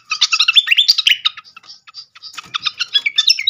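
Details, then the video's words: Malaysian pied fantail (srikatan kipas) lure song used to make birds reply: loud, jumbled squeaky whistles and upward sweeps at first, a short lull, then more clipped high chirps in quick succession. "langsung Nyaut seketika pancingan khas burung srikatan kipas"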